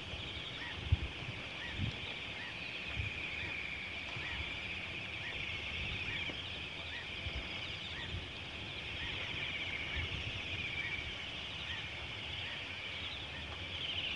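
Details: Bohemian waxwings feeding on mountain ash berries give a steady wash of high, thin, buzzy trills from many birds at once, over low thumps and background rumble.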